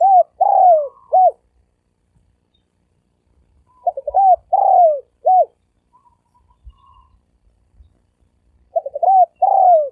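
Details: Spotted dove in rapid 'thổ ồm vang' style cooing. Phrases repeat about every four seconds: a short stuttered pickup, then a full, hoarse, drawn-out coo and a clipped final note, with quiet pauses between them.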